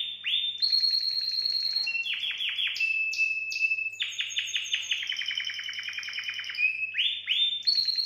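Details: Canary song meant to stimulate females for mating: loud, continuous high-pitched rolls and trills, rapid repeated chirps shifting between pitches, with sweeping descending notes and sustained buzzy tours, faint background hum.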